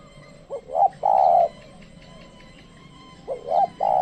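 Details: Trained lure spotted dove calling wild doves that won't come closer. Two phrases about three seconds apart, each short rising notes then a long low croon, with soft high chirping faintly behind.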